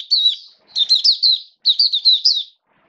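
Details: In a cage during wet rainy weather in September 2022, an Oriental white-eye delivers 'buka sing raja' song as high, tinkling warbled phrases of four to six fast up-and-down notes, two main runs then quiet.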